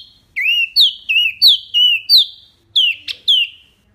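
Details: Clear tembakan song of a wambi mini, kept as tutor material for pet birds: loud whistled notes that dip then rise, repeated about twice a second with a short gap before a final trio.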